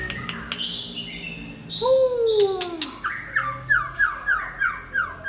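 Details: Late-afternoon song of a white-rumped shama, opening with sharp clicks and high whistles, then a loud descending slurred whistle, followed by a quick series of about seven repeated bright downslurred notes.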